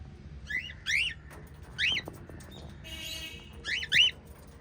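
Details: White lovebirds chirping in quick pairs of shrill, rising notes, with a brief rasping, scratchy burst in the middle.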